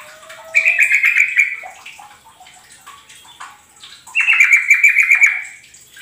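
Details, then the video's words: Yellow-vented bulbul song used to lure kept birds: two bursts of bubbly, liquid warbled notes, each about a second long, separated by a few seconds of quieter rustling background. "pancingan burung trucukan"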